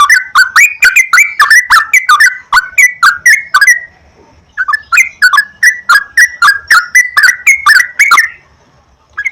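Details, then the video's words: Sooty-headed bulbul song used to encourage a bird to sing. Liquid, bubbly, slurred notes run in two long, steady phrases of quick repeats, with a short pause between them. "PANCINGAN BURUNG TRUCUKAN TERAPI PAGI,SIANG,MALAM,AGAR TRUCUKAN RAJIN GACOR"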